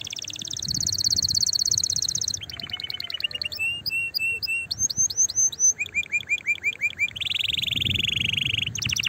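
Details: Excited canary song to stimulate other canaries to sing, opening with a steady high trill, then clipped chips and short rising whistles, closing with a lower continuous trill over faint background noise.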